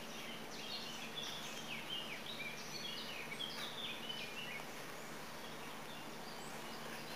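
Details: Bohemian waxwings (Bombycilla garrulus) in Béjar, Salamanca, Spain give thin, high, sibilant overlapping trills throughout, over a steady low hum of distant traffic or machinery; two birds were present.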